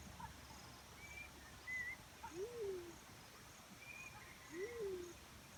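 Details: Two low, drawn-out hoots from a black-chinned fruit dove, each rising then sliding down, about two seconds apart, mixed with short clear whistles from other birds.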